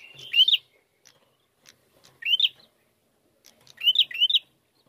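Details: Bar-winged prinia played as a lure to prompt singing: bright upward-sweeping whistled notes, single then paired, spaced roughly every two seconds, clean and loud.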